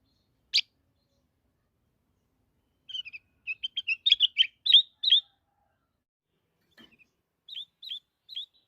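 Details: Black-headed bulbul singing: a single sharp note, then a burst of quick, chirpy whistled phrases that rise and fall. Softer separate notes follow near the end, with silence in between.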